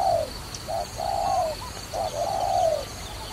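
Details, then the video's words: Trapping dove calling clearly: a long falling coo, a short note, another long coo, then a short note and a final drawn-out coo. The background is quiet. "Wonderful Trapping Dove"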